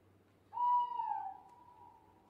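A single owl hoot: a clear, whistled mid-pitched note that dips slightly, then holds steady and fades over about a second and a half against quiet night background.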